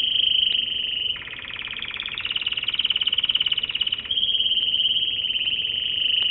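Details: Loud, continuous American Singer canary song alternating between a pure high rapid trill and a rich, lower, rattling roll, switching back to the high trill after about four seconds.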